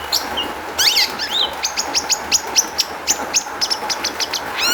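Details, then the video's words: Long-tailed shrike song used as a lure for other shrikes: an opening rising warble, then a rapid evenly spaced series of about fifteen sharp, high downslurred notes, with a steady hum behind. "kicau cendet gacor MEWAH ISIAN buat PANCINGAN CENDET AGAR BUNYI jadikan BURUNG PENTET NYAUT"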